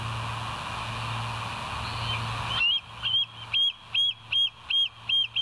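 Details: Bald eagle at the West End nest, filmed by a live nest camera at 02:31 on 09/11/2023; after a steady hiss and low hum, a run of about seven high, clear chirped notes with piping overtones, evenly spaced, each roughly a third of a second.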